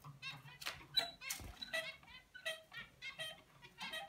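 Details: Juvenile zebra finch attempting its father's song, producing separate short nasal, buzzy notes in an irregular sequence about every half second, some with a faint tonal ending, plus a few sharp clicks and a low thump.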